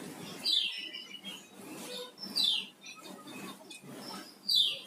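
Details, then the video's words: Flamboyan songbird singing actively, giving short, bright, descending slurred whistles about every two seconds over a steady hiss of background noise. "Suara Burung Flamboyan Gacor"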